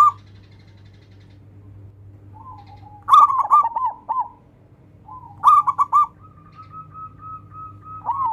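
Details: Local zebra dove, a lively singer, calling rivals to sing: two bursts of quick bubbling coos, the second running into a long level drawn note, then another burst starting; constant low electrical hum.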